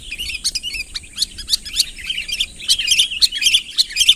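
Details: Active sooty-headed bulbul calling a rival closer, unschooled natural voice: quick bright twittering chirps in uneven series, growing louder toward the end, with a thin steady high hum.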